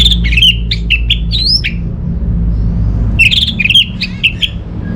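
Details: Orange-headed thrush from northern Bali, Singaraja, singing as a lure for silent household birds: two bursts of fast whistled and clicking notes with a rising squeal, separated by a short pause, low hum behind.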